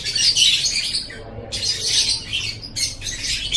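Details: Short burst of lovebird song from an Indonesian masteran recording: shrill, grating chatter, pausing briefly at about one and a half seconds, then resuming twice.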